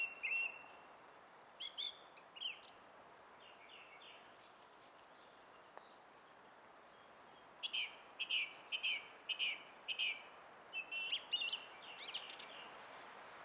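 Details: Song thrush singing on 20 April 2016: bright whistled and chirpy phrases, a short note repeated five times in quick succession, then further repeated brisk motifs after pauses, over a soft steady background hiss.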